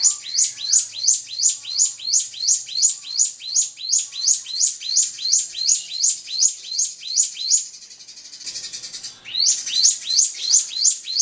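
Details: Drongo song used to provoke a rival: one bright, high chirping phrase repeated almost three times a second in a steady train, broken by a short hissy pause near the end before the phrases resume.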